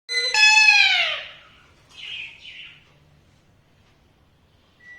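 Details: Alexandrine parakeet giving one loud harmonic call that slides downward over about a second, followed by two short raspy chatters and a faint brief high note near the end.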